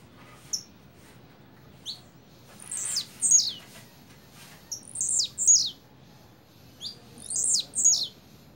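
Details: Blue-black grassquit giving its double song: short high buzzy notes sweeping down from very high pitch, delivered in paired bursts roughly every two seconds, with fainter single chips between them over a quiet background.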